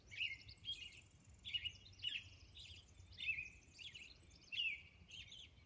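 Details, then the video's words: Dawn song of a Robin on Orcas Island. Short whistled phrases rise and fall and repeat almost every second in a steady caroling run, with soft background noise. "Dawn Robin Song"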